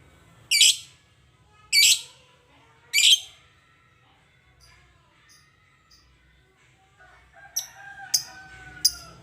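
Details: Lovebird kept as a cage bird, owner seeking to make a rarely vocal bird chatty: three loud, harsh, shrill shrieks about a second apart, then quieter higher chirps near the end.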